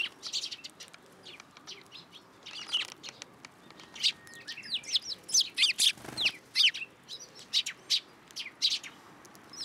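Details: Several sparrows at a Tenmangu shrine in Japan, 9 April 2023, landing on a hand for food; rapid, bright high-pitched chirps and tweets, sparse at first and then dense and overlapping, with a brief rustle of wings midway.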